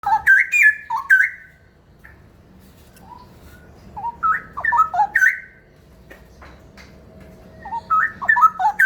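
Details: Straw-headed bulbul (cucak rawa) singing in the rapid ropel style: bursts of rich, liquid, whistled notes that rise and fall, separated by quiet gaps of a second or more, over a faint steady background hum.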